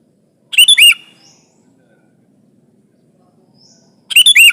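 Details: Sooty-headed bulbul song used as a lure for trapping, pressing a rival bird: a short burst of rapid bubbly notes ending in an upslurred whistle, repeated after a silent gap of about three seconds.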